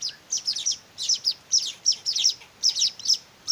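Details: Hand-reared weaver chicks begging, with clustered bursts of shrill, slightly buzzy chirps in groups of two to four, separated by short pauses.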